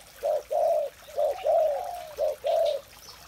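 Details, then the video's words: Spotted dove in the morning giving low, mellow coos, six rounded notes in under four seconds, one drawn out into a longer sliding phrase, against a quiet background. "tiếng chim cu gáy"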